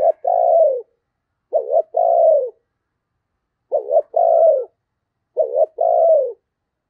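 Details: Caged decoy spotted dove cooing at Tet to attract wild birds: four steady phrases, each a brief wobbling double note and a drawn-out descending coo, about every one and a half seconds.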